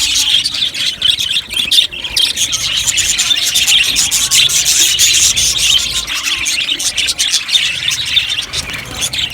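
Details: Budgerigar colony in an aviary: a steady dense wash of high chattering chirps and warbles from many birds overlapping continuously.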